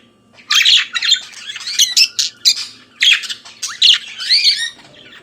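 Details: Budgerigar warbling in the morning, a lively string of squawky chirps, clicks and squeaky whistled notes in quick succession, over a soft steady hum.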